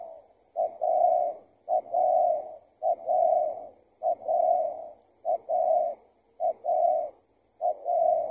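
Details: Spotted dove calling back to a decoy while being trapped; the bird proves to be someone's tethered decoy that got loose. Steady series of paired coos, a clipped note then a drawn-out purring one, roughly every second.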